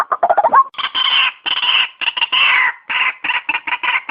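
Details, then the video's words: White-breasted waterhen lure sound for trapping: quick, bubbling croaks open into loud, harsh, rasping kru-ak calls in uneven bursts. "suara ruak ruak terbaik"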